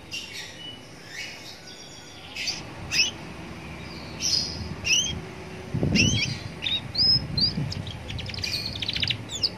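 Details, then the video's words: Young canary singing near a roadside to prompt other canaries to join in; scattered high chirps and twitters, a short fast trill near the end, and a low rumbling passing sound midway. "Pancingan kenari paud biar bunyi"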